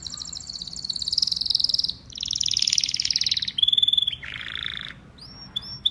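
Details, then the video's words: Canary song of fast trills changing pitch, a low buzzy roll, then a few short high slurred notes. "Beautiful Canary Bird Singing"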